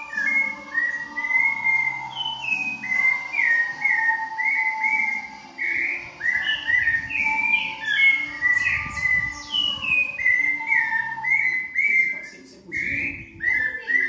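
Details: Rufous-bellied thrush (sabiá da mata) giving the song style known as 'viviu vovô': a run of clear, fluty whistled phrases, some rising and others falling, repeated with short gaps over a steady lower whistled tone, with faint high ticks behind.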